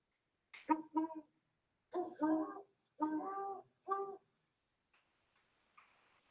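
Great horned owl giving a deep, mellow hoot series, about five notes in a stuttering rhythm with a doubled note in the middle; faint rustling follows.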